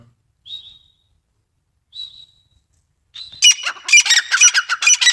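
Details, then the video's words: Grey francolin (desi teetar): two thin, short whistles, then a burst of loud, rasping, rapidly repeated notes in the last two seconds. "desi teetar ki awaaz | teetar full masti | desi teetar partridge sound"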